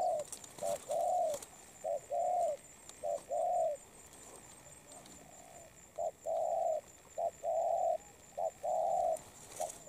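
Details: Two quick cooing bursts from a moulting spotted dove, each a chain of short and longer mellow notes, separated by a two-second quiet pause; scattered clicks and a soft high hum run through.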